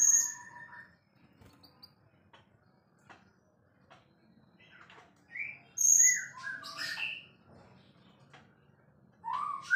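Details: Prize-winning white-rumped shama singing sparse phrases: a few high clear whistles and lower warbled notes, then a lively cluster of rising slurred whistles after a long pause, with faint low background hum.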